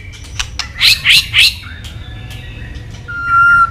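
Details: White-rumped shama (murai batu) in full voice: clicks, then three loud harsh rasping notes in quick succession, and a long clear level whistle to finish.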